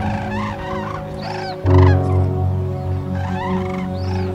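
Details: Cranes calling on migration while flying, short bugling notes in two bursts separated by a low thud, with a continuous musical background hum.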